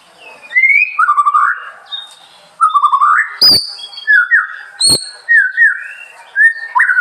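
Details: White-rumped shama song: rich whistled phrases that slide and warble, some rising, others falling, delivered in bursts with brief pauses, broken by two sharp click-like notes near the middle.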